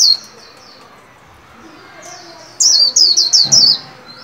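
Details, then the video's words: White-eye kept in a cage and trained to sing, new year 2021: faint high notes at the start, a long pause, then a burst of five loud, high downslurred whistles repeated quickly. "Vành khuyên líu hay đón mừng năm mới 2021! Cùng kích bổi luyện khuyên nào!"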